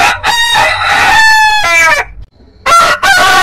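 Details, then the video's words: A heritage-breed rooster gives a long, ringing crow of about two seconds that sags in pitch at its close, followed by a brief silence and the start of another strong crow. "Rooster Crowing"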